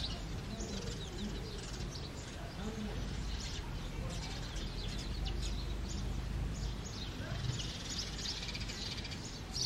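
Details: A male house sparrow, filmed close up in the early morning, sings and chirps a run of short, bright chirps, repeated steadily and unevenly, over a heavy low rumble and possibly faint voices.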